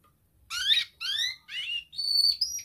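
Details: Young canary heard quietly as tutor song for learning birds: three short rising buzzy phrases followed by a thin sustained whistled note, with faint room noise underneath.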